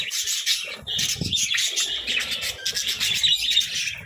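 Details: Budgies munching vegetables while chattering nonstop, a thick mix of high trilling warbles and sharp chirps from several birds, with soft rustles and knocks underneath.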